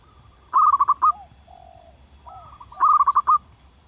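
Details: Zebra dove, a local bird singing vigorously in the wild: two loud phrases of rapid, stuttering cooing notes, separated by softer drawn-out lower coos and a faint rising note.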